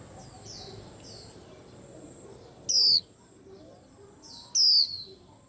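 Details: Two piercing, high, falling whistled notes from a white-eye nearly two seconds apart, over softer background twitters of other birds and a faint steady hiss.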